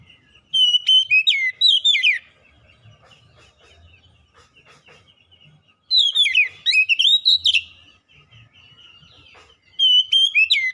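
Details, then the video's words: Oriental magpie-robin (kacer) lure song for stirring a quiet bird into song: three lively phrases of clear whistles, down-slurred notes and chirps, spaced roughly four to five seconds apart, with faint low background sounds in the pauses. "kicauan Kacer pemikat | Kacer malas bunyi terpikat langsung gacor"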